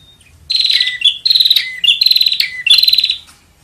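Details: Bar-winged prinia call for luring birds, four buzzy, rapidly pulsed high trills, each ending in a lower dropping note, delivered back to back after a thin introductory whistle.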